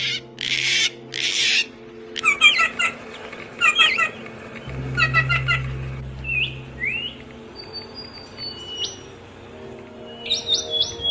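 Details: Chirping birds give short buzzy bursts, clipped rising whistles and a few thin repeated notes, with pauses between phrases and a faint low hum underneath.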